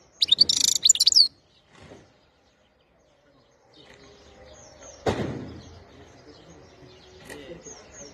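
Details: European goldfinch, 2021: a single second-long burst of bright twittering and buzzy trill, followed by faint background noise, a loud knock and low rumbling.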